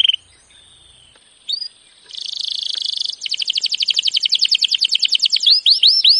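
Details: Canary training song: after a quiet opening, a buzzy high trill builds into a fast rattling series of notes, then ends in three clear upward-sweeping whistles.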